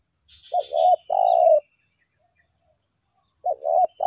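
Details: Spotted dove calling back to a lure: a full three-part coo, then a pause of nearly two seconds before the next phrase begins and is cut off, with a faint high hiss in the background.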